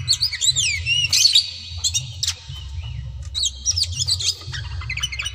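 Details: Oriental magpie-robin (kacer daput) singing to goad rivals to fight: looping whistled phrases, a loud harsh burst, scattered sharp chips, then more quick whistles, over steady low hum.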